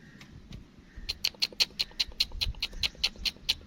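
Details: A black francolin chick makes a fast run of about fourteen sharp, high cheeps at a steady, rapid pace, with low rumbling noise underneath.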